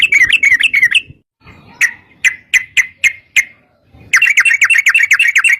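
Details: Yellow-vented bulbul in fast, long-running 'ropel' song, used as a lure so other bulbuls answer and sing: bubbly chattering notes, a pause, a string of separate sharp notes, then another quick continuous run of bright warbling.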